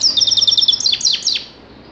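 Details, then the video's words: Grey-crowned goldfinch singing a quick run of high, tinkling twittered notes, followed by three sharp downward-slurred chips, then fading out. "Седоголовой щегол"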